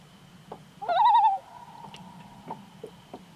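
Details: Common Loon on Lake Nubanusit, Nelson, New Hampshire, giving a short wavering, yodel-like note that rises and trembles for about half a second, then fades into a faint held tone amid soft ticking background.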